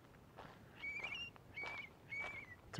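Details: A curlew, or possibly a godwit, gives three clear whistled calls, each rising then sliding down, about half a second apart, over footsteps on a dirt road through spring grassland near Livingston Peak, Montana, on a gusty day; a pair likely nesting.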